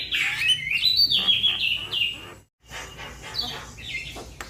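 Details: Young Javan myna calling to its companions: a rapid series of harsh, buzzy notes that slide downward, some squeaky and rising, delivered about three per second with a short silent break midway.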